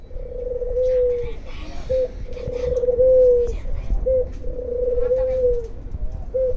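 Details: In the morning, a dove gives three long, low, steady coos, each about a second and a half, with a short clipped note after each. Faint indoor background.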